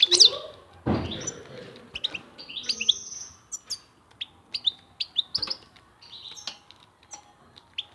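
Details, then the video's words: European goldfinch delivering scattered short high chirps and twittering notes with pauses between, after a loud thump near the start; soft background hum. "طائر الحسون صوت ولا اروع"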